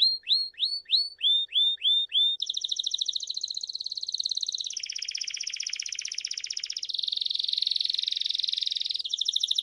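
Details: Belgian canary song used to teach young birds, opening with repeated hooked whistled notes, then shifting into long rapid buzzy trills that change pitch in steps, bright and continuous throughout.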